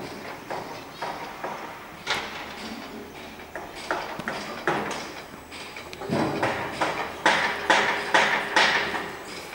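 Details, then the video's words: Common starling (Sturnus vulgaris), recorded 20 May 2016, sings a medley of sharp clicks and rattles, about two per second, with brief squeaky whistled notes near the end. "Étourneau sansonnet Common Starling زرزور شائع"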